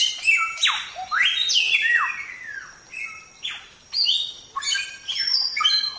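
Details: ['Gacor Chinese Hwamei (Samyong) song used to train songbirds: energetic whistled phrases with strong falling sweeps and bright high notes, briefly pausing between bursts.']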